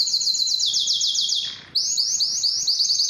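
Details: Canary singing to stimulate other birds to sing and breed: a bright high rapid trill that steps down slightly, fades into a brief gap, then restarts as slower rolling repeated notes.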